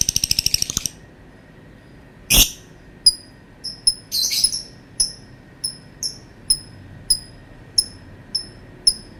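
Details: Lovebird opening with a quick buzzy trill and a loud click, then a scratchy burst and a string of single sharp high chirps spaced roughly half a second apart.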